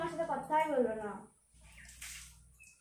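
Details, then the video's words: A pet Indian parrot talks in a rapid, speech-like phrase of about a second and a half, imitating Bengali phrases, then water trickles and drips in a small room. "Cute Parrot Videos Talking ।। AMAZING SPEAKING PARROT VIDEO । INDIAN PARROT CHIRPING"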